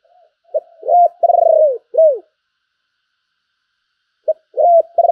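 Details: Spotted dove kept as a decoy, calling with thúc and gáy gọi phrases. It gives low stuttering coos leading into a long, rolling, falling note, then a short pause and another stuttered coo series.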